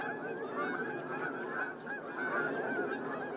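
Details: Whooper swans at Starene in 2023 give loud, bugling honks, several birds calling over one another in a steady overlapping chorus.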